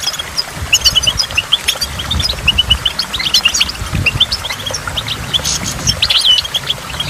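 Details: A goldfinch twitters among water drops at a waterfall. Thin, high, scattered chirps and trills are set against a slightly stronger low rumble of flowing water.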